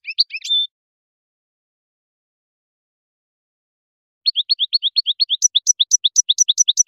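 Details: Algerian European goldfinch singing in the khelwi style, recorded 2018: a short burst of quick high twittering notes ending in a brief held tone, then silence, then a fast run of repeated sharp chips rising into brighter double notes.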